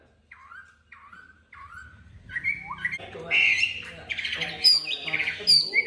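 A Chinese hwamei opens with three quick rising whistles, then bursts into a loud, rich, varied run of fluty and chattering phrases.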